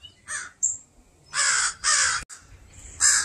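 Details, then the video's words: Harsh cawing from a crow pair guarding their fledgling in a yard with pine trees: one short caw, then two long drawn-out caws, a sharp click and a final caw. "Crow making a fuss to protect their fledgling"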